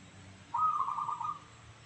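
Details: Local zebra dove (perkutut lokal) prized for its 'crystal voice' (suara kristal): a single rolling, trilled coo of under a second, steady in pitch and slightly pulsing, over a faint low background hum.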